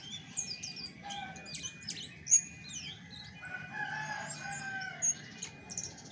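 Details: Chestnut-backed thrush singing in its natural voice without tutor recordings: a busy run of sharp, high chirps and slurred whistles, some rising and falling, with a thin steady tone beneath and soft background noise.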